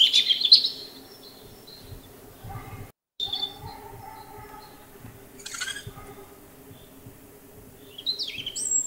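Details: A European robin sings brief high, thin twittering phrases, separated by pauses of two to three seconds, over a low steady hum.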